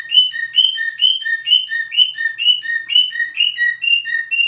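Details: Steady cockatiel whistling, each unit a bright mid-high slur followed by a slightly lower flat note, repeated in an even beat about twice a second.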